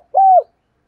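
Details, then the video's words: Single smooth low coo of a spotted dove, played to stimulate doves to coo, steady then slightly falling at the end. "tiếng cu gáy kích bổi nhanh nổi hiệu quả nhất 2023/ cu gay kich boi nhanh noi gù"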